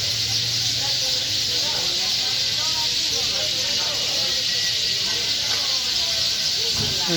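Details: A large flock of sparrows gathered on power lines and in a bakul tree at Bakultala, Bhangura, Pabna, as happens every afternoon after Asr, chirps in a dense, hissing wash of countless overlapping high chirps; a man speaks briefly, traffic hums underneath.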